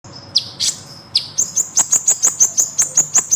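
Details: Sunbird singing actively in a long rolling song, used for training songbirds: a few thin, high slurred notes, then a fast, even series of sharp, very high chips, about three per second.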